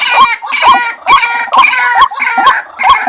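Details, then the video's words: White-breasted waterhen call used for luring birds into traps: harsh, rasping, harmonic-rich notes, each ending in a rising croak, pulsing roughly twice a second with overlapping voices. "suara burung ruak ruak/pitikan sawah untuk pikat"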